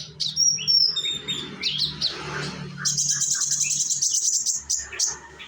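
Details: Young sunbird from Indonesia singing as a lure to set other sunbirds singing: high, rapid twittering and sliding notes, turning into a dense, buzzy, continuous high trill midway, with steady low background hum.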